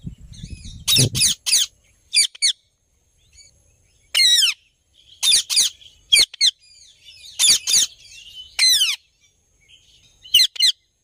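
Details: Happy sounds from an Indian ringneck parrot: a low thump and rumble at the start, then bursts of sharp squawks, some sliding downward, separated by short pauses and quieter chirps.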